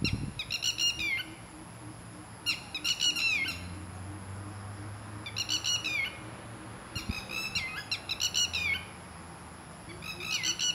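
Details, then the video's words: Pair of Red-wattled Lapwings living in a garden, loud and attacking anyone who comes too close; sharp, strident, repeated notes in quick bursts of three to five, each burst falling slightly at the end, recurring every couple of seconds, with faint low background hum. "Red wattled Lapwing Call"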